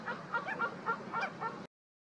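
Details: An Olrog's gull in the wetlands of the Maldonado river estuary, Uruguay, in July 2023 gives a quick run of about six harsh, nasal, honking notes in under two seconds against a faint background hiss.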